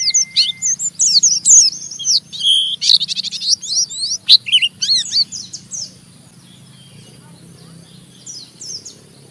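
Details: Oriental white-eye giving a rough ngeriwik chattering song that stimulates other white-eyes to sing along: rapid high, scratchy chirps and downslurred notes tumbling for about five seconds, then near silence with faint low background hum.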